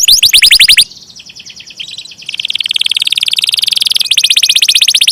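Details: Canary rolling song: opening bright pulsed trill, a quieter stretch of soft twittering, then a long fast buzzy trill of evenly repeated high pulses.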